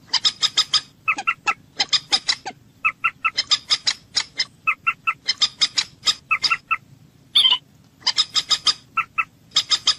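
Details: Common moorhen calls for hunting: rapid, harsh clucking notes in tight bursts of three to six, repeated steadily for ten seconds with brief gaps, and one longer buzzy note near the end.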